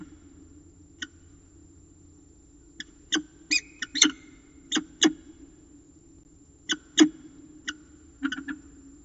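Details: Peregrine falcon at its nest in Orange, Australia, on 25 September 2018, calling while its mate does not take over; short sharp 'pi' notes given singly and in brief clusters, about a dozen in nine seconds, over a steady low hum.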